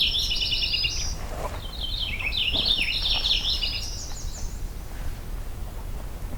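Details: A Purple Finch, whose songs vary greatly and can include much mimicry, sings from a tall jack pine top on an overcast morning: a long, bubbling, run-on warble of quick rising and falling notes for about four and a half seconds.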